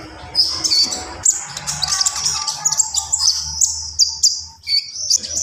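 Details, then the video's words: Javan pied starling song of sharp high whistles and grating chatter delivered almost without pause, over a faint low background hum. "SUARA KONIN GACOR FULL ISIAN"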